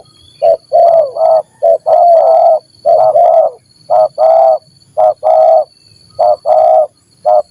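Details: Spotted dove of the stuttering 'gagap' calling type, meeting another stuttering dove, a call used to lure birds: low, hoarse coos in broken, stuttering bursts of two or three notes, with a steady faint high-pitched hum behind.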